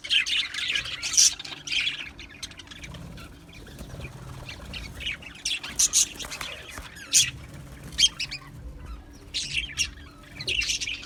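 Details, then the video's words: Australian budgies in a colony aviary, chirping sounds: bursts of bright, scratchy chatter and squawks come in clusters with short quieter gaps, several birds calling over one another, with a steady low hum underneath. "Beautiful Australian Budgie birds Chirping Sounds | Budgie birds sounds"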